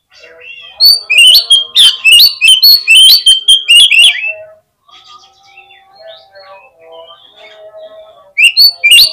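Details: Oriental magpie-robin lure song to make birds answer and spread their tails; a loud, rapid torrent of varied whistles and harsh notes for about four seconds, quiet soft chirps, then the loud song resumes.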